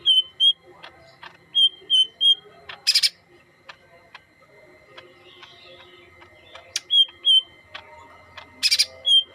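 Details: Yellow-headed green leafbird singing in short bursts of clear, high whistled notes, mostly in paired or triple phrases, separated by pauses, with scattered clicks, sharp broadband snaps and a steady background hum.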